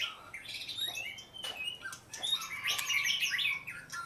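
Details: Oriental magpie-robin giving a fast, varied song of upward whistled slides and dense chattering notes, building to a bright jumbled flourish near the end.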